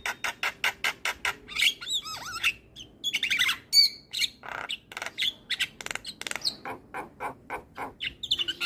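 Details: Actively singing Javan myna, played to trigger response from stressed mynas: a steady, rapid series of harsh clicks and squawks broken by twisting whistled phrases and buzzy bursts.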